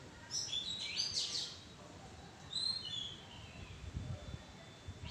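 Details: Oriental magpie-robin calling from a tree thicket, with a dense cluster of high whistled notes followed by softer slurred whistles and occasional low thumps.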